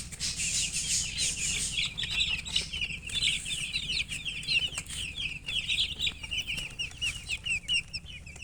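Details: A crowd of baby chicks chirping nonstop, rapid overlapping high cheeps forming a dense twittering wash, with light rustling and a low background hum.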